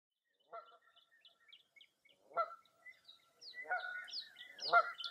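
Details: Birds on a foggy early April morning at Mirror Lake State Park, Baraboo, Wisconsin: scattered high chirps and short whistles, broken by two loud, harsh honking calls, with more chirping filling the last second and a half.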